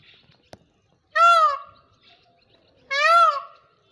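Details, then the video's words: Two loud peacock cries, each a rising then falling nasal wail under a second long, spaced nearly two seconds apart in a quiet setting with a single click before the first. "Amazing Jawa Peacock Sound,Peacock Sound Effect,Peacock Call"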